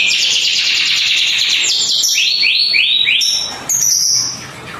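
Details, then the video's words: Canary of panda colour in full song, a fast rolling trill followed by a series of rising swept notes and high thin whistles, sustained and loud throughout. "KENARI GACOR WARNA PANDA"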